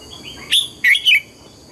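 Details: Brief phrase of the morning double-note wild-style song of a red-whiskered bulbul: three loud, slurred whistled notes delivered in about three quarters of a second.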